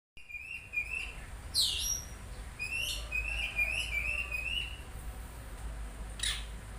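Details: Oriental magpie-robin song made of a lively run of clear, sweeping whistled notes, some rising, others falling, with a few sharp high accents, delivered over a low constant hum.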